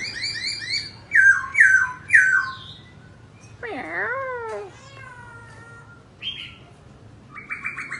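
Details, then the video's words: Laughingthrush singing while dancing: rising and falling whistled slurs in a run of three, then a loud fast swooping warble, a few clear downslurred notes, and a closing burst of quick buzzy trills. "Khướu Muá Hót"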